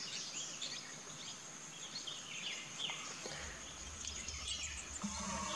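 Oriental pied hornbill giving harsh, bleating, goat-like cackles in short uneven bursts, with a steady high insect whine and faint background noise throughout.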